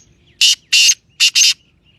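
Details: Francolin (titer) from Sindh calling: four loud, harsh, broadband bursts in two pairs, each about a fifth of a second, over near silence.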